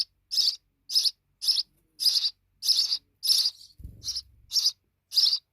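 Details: Sparrow babies, now fledged, repeating loud high chirps roughly twice a second; a short low knock interrupts near the middle.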